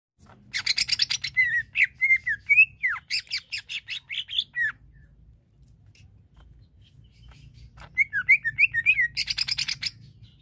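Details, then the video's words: Greater green leafbird singing to provoke aggression in another leafbird: bursts of fast, dry chattering mixed with clear slurred whistles rising and falling, a pause of about three seconds, then chatter and whistles again, over a faint low hum. "Bikin Cucak ijo Lain Terpancing Emosinya"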